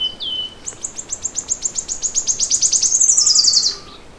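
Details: Morning bird song opening with a short down-slurred whistle, then a long trill of sharp high notes that swells louder before stopping abruptly; faint lower tone near the end.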